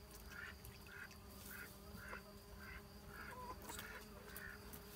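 Muscovy duck giving short, soft, breathy notes about twice a second over a steady mechanical hum.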